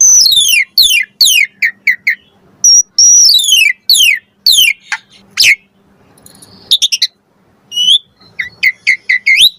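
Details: Lure recording of an Asian pied starling with full variation: strings of sharp descending whistles and chips, a short gap with faint scratchy sound, then quick high clicks and rising whistled notes.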